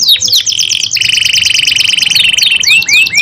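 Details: Canary in loud, long song: quick sweeping chirps, then a sustained fast buzzy trill held for more than a second, ending in rising slurred notes.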